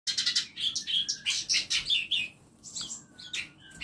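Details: Several small songbirds chirping and singing together inside a compact home aviary, with dense high twittering notes in quick bursts, then quieter thin whistles toward the end.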